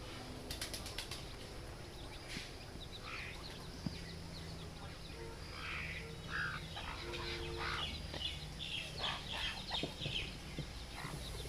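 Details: Chicken (Gallus gallus domesticus), chick peeps.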